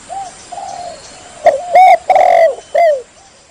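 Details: Spotted dove lure call for drawing in rivals: soft low coos, then a loud burst of three strong, slightly distorted coos, the second drawn out, and a softer coo trailing off.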